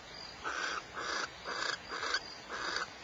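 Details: Barn owls recorded at Starr Ranch, California, giving fainter rasping, hissing bursts, five in a row, about half a second apart, over a soft background hiss.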